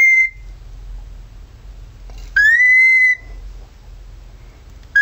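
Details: Male pet cockatiel imitating a siren: a short steady whistle, then a clear rising whistle sweeping up and holding level for nearly a second, with a faint hum in the background.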